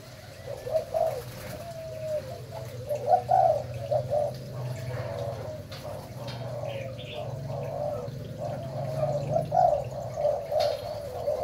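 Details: Malaysian-type spotted dove kept for breeding, cooing in a long run of throaty, rolling phrases with rhythmic pulses, accompanied by a constant low droning hum.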